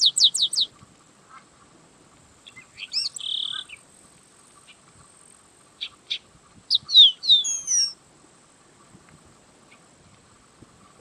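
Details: Yellow-winged blackbird song: a fast trio of high downslurred notes, a short buzzy trill, scattered sharp clicks, then a cluster of rising and falling whistled notes, with long quiet gaps between phrases.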